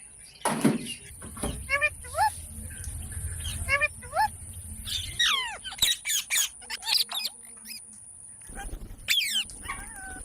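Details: Parrot making sparse, sharp descending harmonic notes and quick squeaky bursts, spaced by pauses, over low background noise and a steady high whine.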